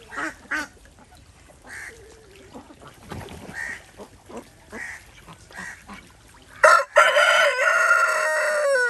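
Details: Village farm desi ducks swimming in a pond in India; short nasal quacks sound at intervals, followed by a sudden, loud, prolonged raspy call that carries on to the end.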